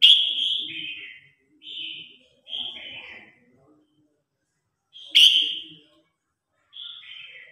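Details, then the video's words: Competition song of a Red-whiskered bulbul calling its flock: a run of whistled, falling phrases separated by brief gaps, with faint low murmurs beneath and a loud, abrupt note near five seconds. "Tiếng Chim Chào Hót Đấu /Tiếng Hót Gọi Bầy Đàn"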